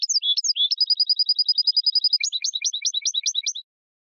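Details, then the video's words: Singing European goldfinch: a few sharp, slurred whistles, then a long, rapid buzzy trill on one pitch, then a run of quick two-part chirps. Clean, with no background noise. "من أقوى تغاريد طائر الحسون الجميلة"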